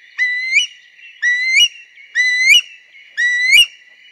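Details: Eurasian curlew giving four clear, rising whistled calls, each swelling and sharply upturned at the end, spaced evenly about one second apart.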